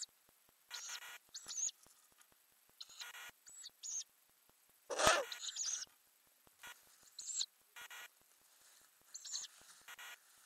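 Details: Repeated short, high-pitched hissing wheezes from a Ural owl nest box holding growing owlets, May 2020, with an in-box camera; about a dozen bursts at irregular intervals and one sharp scraping thump midway.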